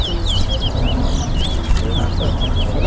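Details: Caged chestnut-bellied seed finches (towa towa) in a singing competition in Guyana: rapid warbled, sliding whistled phrases, repeated without pause, over a steady low rumble of crowd and background noise.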